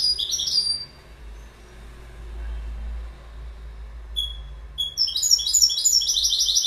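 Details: Goldfinch giving a short burst of bright twitter, then a near-silent pause with a few thin single notes, before fast tinkling twittering resumes and builds toward the end.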